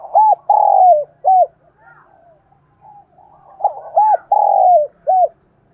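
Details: Spotted dove calling in the morning, giving two repeated phrases of soft, hollow coos, short notes around one long sliding coo, with quiet low murmurs and faint rustling between phrases.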